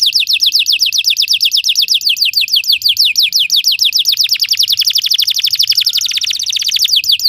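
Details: Belgian canary singing as a training aid for other canaries: long unbroken chain of rapid descending whistled notes, speeding into a tight rattle near the middle and then slowing again.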